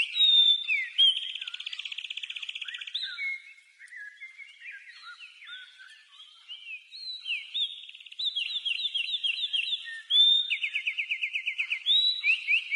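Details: House wren (garrincha) singing its classic song in nature: rapid buzzy trills of repeated notes, interspersed with jumbled chattering phrases, in several bubbling bursts, with no other clear sounds.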